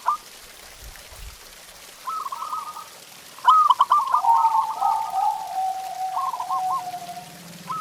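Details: Perkutut, the zebra dove, in a masteran recording to get pet doves singing: quieter trilled coo phrases with a long level lower coo drawn out underneath, a few faint low thumps early on.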